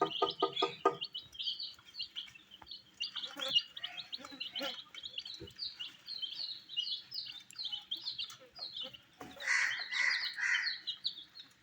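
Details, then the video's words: Colored baby chicks eating wheat, a run of high shrill peeps from many chicks, with a harsher, lower gurgling sound at the start and again near the end. "Colors MURGI baby Chicks are eating "wheat Challenge" with "Chicks Chirping" Sounds"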